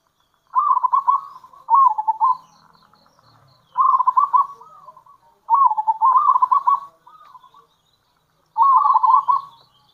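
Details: Local zebra dove, kerot and bekur style, calling to lure other zebra doves. Four bouts of rapid rolling coos, each about a second long and often doubled, come at intervals of about two seconds.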